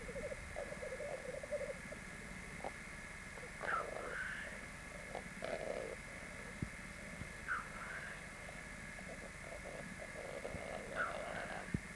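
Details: Hybrid black grouse × capercaillie (rackelhahn), three males fighting on a black grouse lek, Landvik, Grimstad, Norway, 1 May 1994: faint low bubbling, croaking bursts in irregular runs, with a few harsher rasping notes and a steady background hiss.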